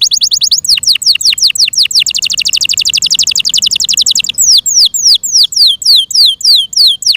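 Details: Yorkshire canary, kept in care, singing loudly: rapid trills of fast repeated notes, then a run of downward-sweeping whistled notes repeated about twice a second.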